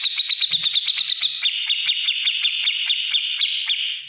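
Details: Grey-cheeked bulbul in lively ngetik ngipik song for training cage birds: a steady, fast series of bright clicking notes, roughly two to three per second at the start, running together into a continuous trill.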